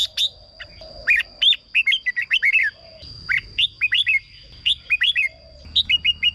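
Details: Red-whiskered bulbul in a cage, its song used to excite birds or as a decoy: rapid, lively series of downslurred chirps in tight groups, almost without pause, over a steady high-pitched hum.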